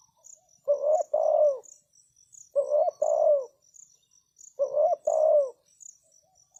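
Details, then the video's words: A decoy spotted dove calls to draw in wild doves with three evenly spaced phrases. Each pairs a clipped coo with a longer, softly descending coo. Constant high-pitched insect chirping is heard throughout. "Chim cu gáy chiêu kích mồi tập bổi nhanh nổi hiệu quả"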